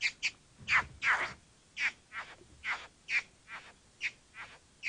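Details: Bowerbird giving harsh, raspy, scratchy calls in an irregular series, about two to three per second, some doubled, against a quiet background.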